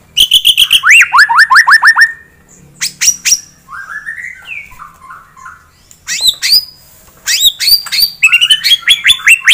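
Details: White-rumped shama, singing to arouse a rival's aggression, gives a fast series of rising whistles, a pause, softer warbling phrases, then renewed bursts of sharp, rapid notes.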